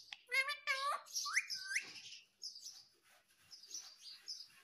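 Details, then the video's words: Indoor pet parrot producing stacked nasal voice-like notes and rising whistles, followed by softer scattered chirps. "Natural Parrot Sound ❤️ talking Parrot mummy papa"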